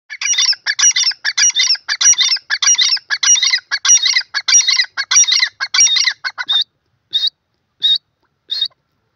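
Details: Grey francolin, locally called dakhni or irani teetar, in Pakistan, enjoying a mud bath. It gives a fast, loud run of harsh, ringing, evenly repeated notes for about six seconds, then three spaced, clearer notes.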